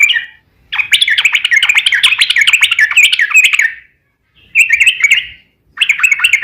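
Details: Lure song of a sooty-headed bulbul meant to prompt other bulbuls to answer: a long, fast, warbling stream of bubbly whistled notes lasting about three seconds, followed by two shorter bright phrases after quiet gaps.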